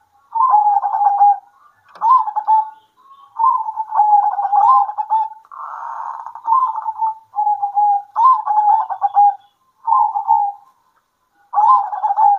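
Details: Several local zebra doves answer one another at midday with repeated bursts of rapid staccato cooing, each phrase about a second long, in close succession over twelve seconds with brief gaps.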